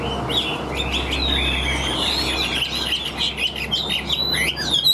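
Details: Chinese hwamei, a Vietnamese bird described as singing tirelessly with an even, full voice: clear whistled slurs rising and falling around high pitch, delivered in a fairly continuous stream over a low steady hum.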